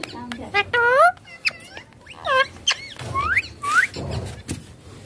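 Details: Ringneck parakeet chattering as it plays on a mobile phone. Quick rising and falling whistled syllables come in short bursts, some upward-swept and squeaky, with soft rustling and low indoor background.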